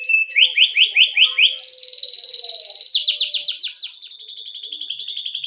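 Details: Singing canary, long rolling song meant to prompt young canaries to sing: a run of short rising-falling whistles, then a dense buzzy rolled trill, a burst of quick downslurs and another rattling trill.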